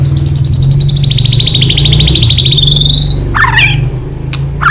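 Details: Song of the white-rumped shama, played as a lure to get birds singing: a long, fast, high trill slowly falling in pitch, followed by sharp clicks and a brief note, with a low droning hum underneath.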